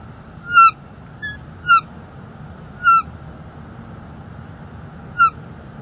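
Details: Bald eagle near its North East Florida nest, January 30 2024, with an intruder eagle present: sharp, brief, slightly descending chirps given singly at uneven intervals of one to two seconds, with quiet gaps between.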